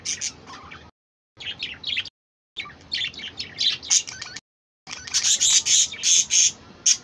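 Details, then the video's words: Budgerigars chattering in a dense stream of high, sharp chirps and squeaky warbles, several notes a second, in bursts separated by short silent gaps, growing louder toward the end. "বাজিগার কিচিরমিচির"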